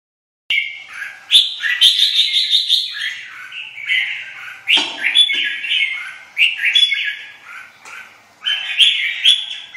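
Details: Red-whiskered bulbul with white wing feathers singing in the fired-up 'vào lửa' state: dense, rapid bursts of bright warbled and chirping notes with sharp high clicks, phrases tumbling one after another with short pauses between.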